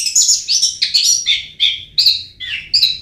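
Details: Long-tailed shrike lure song meant to make lazy birds sing: a handful of loud, harsh, descending chirps and scratchy notes spaced roughly every half second, with a faint low hum underneath.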